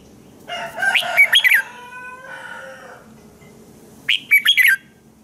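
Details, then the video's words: Morning song of a red-whiskered bulbul, a training recording for other bulbuls: a warbled, fluty phrase with harmonic notes, a drawn-out buzzy tone, then a second quick whistled burst near the end. "Chào mào hót sáng hay - DÙNG ĐỂ LUYỆN KÍCH BỔI CĂNG HÓT"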